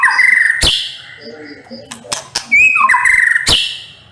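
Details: White-rumped shama song in the hot 'nembak' style: strong whistled phrases punctuated by loud cracking clicks, with soft lower warbles in the middle and a bright upward-slurred whistle leading into the final burst.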